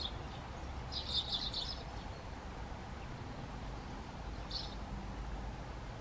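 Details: Great tit (Parus major) singing a short burst of rapidly repeated high, bright notes lasting under a second, followed by a lone brief note a few seconds later, over steady low background rumble.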